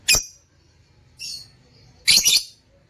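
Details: In a cage, lutino opaline lovebirds utter a sharp high chirp, a softer buzzy note a second later, then a harsh doubled screech.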